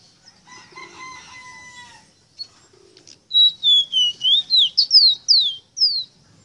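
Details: Ruddy-breasted seedeater (rosita) tutor song for teaching captive birds to sing. A faint low harmonic sound comes first, then a clear whistled run of eight or nine fast, high, slurred notes, falling then rising.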